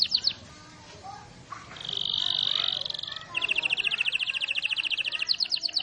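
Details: Canary song: brief notes, a buzzy sustained high trill, then a rapid rolling trill of repeated notes, with noisy background.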